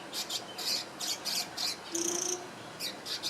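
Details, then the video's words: Swiftlet-like bird preening in Singapore in 2017, giving high, harsh, buzzy chirps in quick bursts of about three per second, several carrying a thin whistled tone, with one longer rasping note midway; no other sounds stand out. "Cute Swiftlet-like Bird Chirping (Sound) & Preening"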